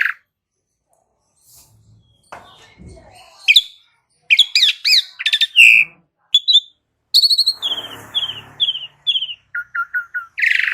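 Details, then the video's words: Asian pied starling, recorded as a lure for cage birds. After a quiet start, scattered harsh notes lead into buzzy chatter and sliding whistles, then a series of repeated clipped notes roughly every half second, ending in a short rasp. "Cukup 1 Menit Pancingan Jalak Uren Jadi Gacor 💥Masteran Jalak Uren Suren"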